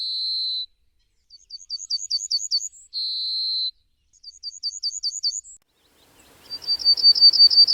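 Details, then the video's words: Repeated Yellowhammer song: a long steady high whistle alternates with a rapid series of rising, looping notes ending in a higher tone. A final burst of quick notes plays over faint background hiss. "Yellowhammer Bird Sound Effects"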